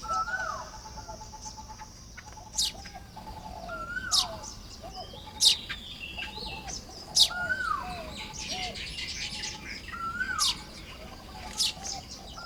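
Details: Baya weaver building its nest on a morning in early May 2026 in Lopburi, Thailand: sharp high chirps burst out every second or two, mixed with lower down-slurred whistles and a steady faint background hiss.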